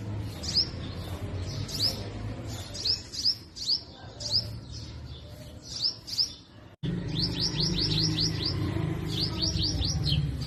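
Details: Purple sunbird, described as shiny purple or black-purple, singing and chirping in forest trees in spring in north-west Pakistan: quick bursts of three to six high, thin, down-slurred notes, repeated through the recording over a steady low rumble.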